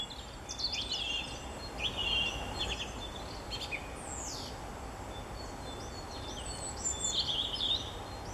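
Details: Song thrush (Turdus philomelos) singing high in treetops in Bavaria, Germany, March 2014: short, bright, varied phrases with clear pauses, over steady hiss, with a chiffchaff overlapping at times.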